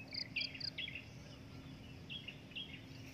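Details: Breeding adult drongo giving short chirped and slurred notes in quick bursts, high clipped pairs followed by lower bent whistles, then a pause and two more note groups, with a steady low hum and insect hiss behind.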